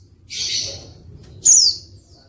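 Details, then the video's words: A hissing, broad burst of sound followed by one high, falling whistled note from a female white-eye, a call meant to prompt hesitant males to start singing. "pleci betina untuk pancingan pleci malas bunyi"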